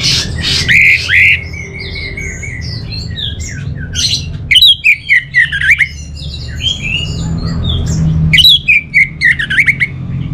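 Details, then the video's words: Orange-headed thrush, a kept songbird in northern Bali, singing varied loud phrases of sliding whistles and chirps separated by short pauses, with series of quick repeated notes near the middle and end. "Suara ANIS MERAH"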